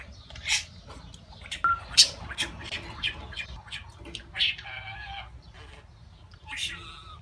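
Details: Talking budgerigar kept as a pet, declaring its love; a rapid run of raspy, speech-like syllables and squawks, one clear whistled note, and a buzzy warble, over soft constant hum.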